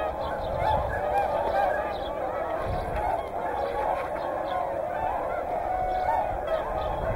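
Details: A large gathering of whooper and tundra swans at Hyoko in Niigata. Many birds call together in a thick wall of trumpeting honks, steady and overlapping throughout, with a faint murmur of people in the background.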